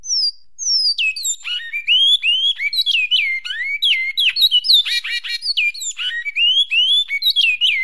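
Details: A Goiás-type great-billed seed finch, recorded for song training, sings a fast, unbroken run of clear, slurred whistles, mostly sweeping downward, rich and musical throughout; nothing else is heard.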